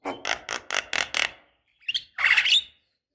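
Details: Javan myna chattering with a quick series of six rough notes, a short pause, then a longer harsh, buzzy squawk.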